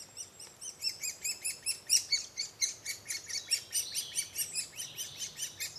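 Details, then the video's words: Woodpecker at its nest: harsh, buzzy notes repeated about three times a second in a steady chattering series, with no other clear sounds. "Okillaren kabian"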